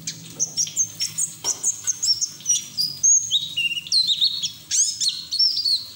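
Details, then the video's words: White-eye delivering 'ngeriwik teler' song for training raw white-eyes to sing; busy, varied high twittering with slurred whistles dipping lower toward the end, notes pulsing several times a second over a faint low hum. "PLECI NGERIWIK TELER BUKA PARUH NGALAS UNTUK TERAPI PLECI BAHAN"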